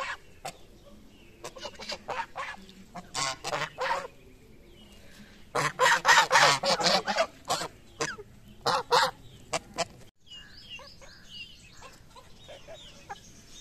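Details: Several geese honk while feeding in the morning, short nasal calls coming in rapid clustered bursts, loudest midway, then fading into quiet background with faint chirping.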